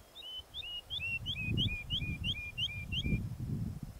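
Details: Woodlark song in paired notes: a high slurred note, then a lower fluting one, repeated about ten times. The pairs step gently down in pitch over a steady low rumble of wind.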